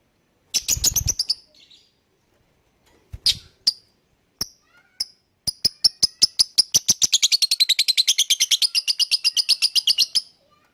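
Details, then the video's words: Lovebird song used to prompt other birds to sing along: scattered sharp high chirps, then a long fast run of high metallic chattering notes repeated many times per second. "Pancingan Burung Lovebird Bikin yang lain IKUTAN bunyi."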